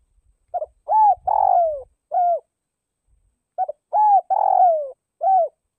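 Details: Decoy spotted dove from northwest Vietnam calls twice, each phrase a stuttered opener, an arched coo, a long descending burred coo and a clear final coo, about three seconds apart, with faint low rumbling early on.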